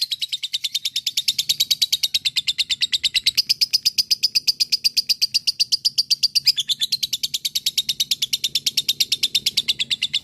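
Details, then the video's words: Long chattering 'ngekek panjang' of a fighter lovebird, used to coax other lovebirds into answering: a continuous, fast, shrill ticking trill holding steady for ten seconds with one brief hitch. "masteran pancingan suara LOVEBIRD ini. LOVEBIRD mu akan segera nyaut dan ngekek panjang"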